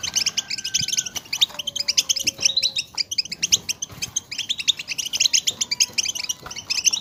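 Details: Collective European goldfinch chatter used to stimulate singing in goldfinches; steady, crowded high twittering with quick chirps, plus a few thin drawn-out whistled tones underneath.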